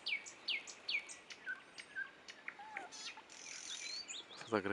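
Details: Nightingale song recorded at Dubki: a string of downward-sweeping whistled notes repeated about twice a second, then varied chirps, a low slurred note and a rasping end.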